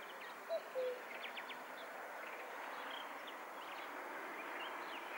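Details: Common cuckoo (Cuculus canorus) gives a single soft, falling two-note call near the start over steady hiss with faint high chirps of small birds; Sofia, Bulgaria, 1 May 2020.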